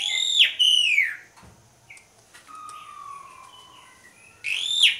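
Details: Lively Asian pied starling song used to coax other birds into singing: rich harmonic arched notes falling away, a long steady low whistle drawn out over two seconds, then a bright harmonic burst.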